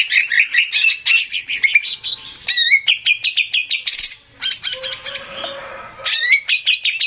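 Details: Male greater green leafbird lure song: rapid series of sharp chirps and slurred whistles, a brief quiet break with a low steady tone, then lively chattering phrases resume.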